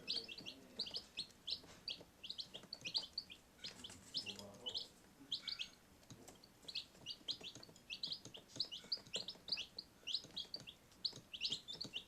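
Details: Domestic chicks peeping indoors in a utility room: rapid high-pitched chirps in quick clusters from several young birds, continuing throughout, with soft rustling and low room noise beneath.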